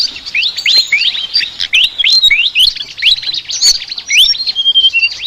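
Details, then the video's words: Chattering flycatcher song: fast, jumbled high notes, many sliding upward in quick rasping strokes, broken by a few thin level whistles, all delivered without pause. "BURUNG SIKATAN NGOCEH TER UNIKK"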